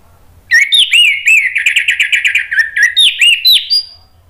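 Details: Orange-headed thrush singing as a lure to stimulate song. A dense, continuous run of bright, bubbling whistles with a quick trill in the middle, ending in a thin, high note.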